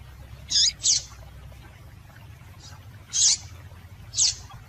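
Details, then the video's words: Female double-collared seedeater calling to get a male singing: four high, squeaky chirps, two close together, then two spaced about a second apart, above a faint low background hum. "Piado de Fêmea de Coleiro para Esquentar Coleiro"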